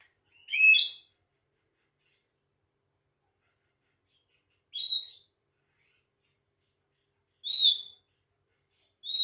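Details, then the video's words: Chatty Javan myna, a bird that imitates talking and coughing, giving short harsh scratchy calls spaced every two to three seconds against silence. "JALAK KEBO CEREWET BISA NGOMONG & BATUK"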